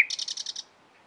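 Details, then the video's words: Nightingale giving a short burst of about seven quick, evenly spaced buzzy notes high in pitch, ending abruptly after half a second, followed by quiet. "It turned out to be a nightingale | Real sound for more than ten minutes is so intoxicating"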